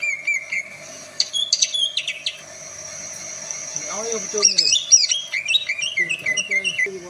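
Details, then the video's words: Greater green leafbird singing a mixed repertoire said to provoke other birds: sharp high chips, a long thin held note, then bouncing, downward-slurred whistles repeated in quick succession. "burung cucak ijo bisa bersuara banyak, Bikin terpacing burung lain"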